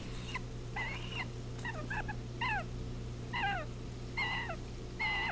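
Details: Osprey alarm calls at a nest watched by a live camera while a great horned owl attacks and takes a second chick, July 12, 2018: repeated short, sharp, descending whistled cheeps, about one per second, over steady low hum.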